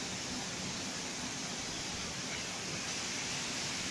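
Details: Dense, unbroken hiss like wind or rushing water covers every pitch, with a low rumble beneath and no clear calls.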